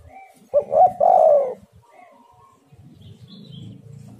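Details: Lure call of a spotted dove meant to bring in wild birds, one clear phrase of quick short coos that runs into a sustained low wavering note, followed by soft low murmuring and a faint higher chirp.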